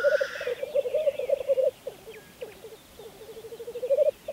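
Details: Black grouse at a spring lek, Saaremaa, Estonia, 2014. A brief rushing hiss opens over rapid gurgling coos, which fade into scattered bubbling phrases and build again toward the end.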